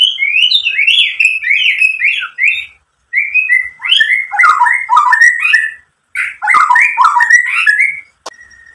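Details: White-rumped shama song played to provoke other shamas into singing, a rich varied medley: fast runs of slurred whistled notes and buzzy rising-falling phrases between roughly one and four kilohertz, in bursts separated by brief pauses, ending on a sustained note.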